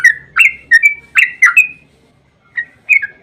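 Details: Yellow-vented bulbul singing a lively 'ropel panjang' phrase to draw responses from other bulbuls: about six loud, liquid slurred notes in quick succession, a gap, then two softer whistles.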